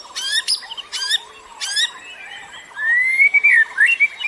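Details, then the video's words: Bird calls used for luring other birds: three harsh rattling bursts about half a second apart, then a long clear rising-and-falling whistled phrase. "KICAU BURUNG PEMIKAT"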